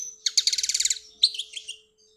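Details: Algerian European goldfinch song: a fast, evenly pulsed buzzy trill lasting under a second, followed by a sharp high note and a short cluster of twittering chirps, with a faint constant hum beneath.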